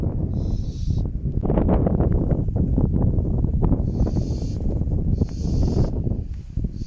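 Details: Pair of barn owls at their croft house nest on a windy night in November, the male urging the female toward a new nest site; three breathy, sustained hisses, one early and two later, amid heavy gusting wind.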